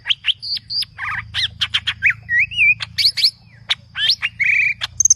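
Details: Continuous aggressive green leafbird song packed with variety: sharp chips, dipping whistles, buzzy trills and a wavering whistled phrase, delivered rapidly over a low hum, ending on high clear notes.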